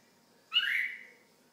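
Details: Red-whiskered bulbul kept as a pet giving a single whistled call that slurs upward, then draws out and falls away over about half a second, in otherwise quiet surroundings.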